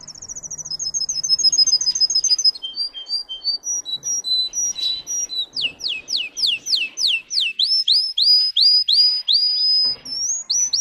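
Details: {'_': 'Russian singing canary bred for song, caged indoors, delivering a varied high song: rapid trilled series, then sweeping buzzy notes and rising slurred whistles repeated about three per second, with faint low hum beneath.'}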